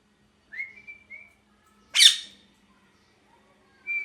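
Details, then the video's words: Parrot giving a short whistled call around mid pitch, then a loud harsh squawk, and a brief whistle again at the end; otherwise quiet. "Parrot Chirping Sounds | Natural Parrot Sounds | Parrot Calling Sounds"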